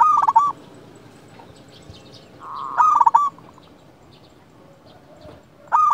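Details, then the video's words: Local zebra dove in full song, recorded as a lure to excite other doves. Brief bursts of quick, cooing trilled notes separated by several seconds of quiet, with a low background hum. "Perkutut lokal gacor RAJA PIKAT ini ahlinya bikin semua burung perkutut gacor NYAUT"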